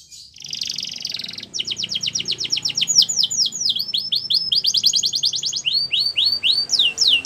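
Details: Canary song beginning with a dense buzzy trill, then a long run of fast repeated whistled notes, arched slurs and trilled phrases, with faint low background noise.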